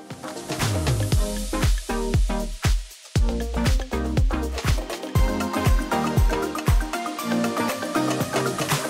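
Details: Loud dance music with a driving beat of about two per second, deep bass and bright layered tones fills the whole stretch, with no animal sound.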